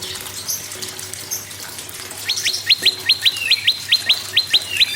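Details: Prinia, named as moss prinia and red-headed prinia, singing to stimulate other birds: after a hissy start, a fast regular run of sharp descending chips, about two per second, against faint water-like background noise.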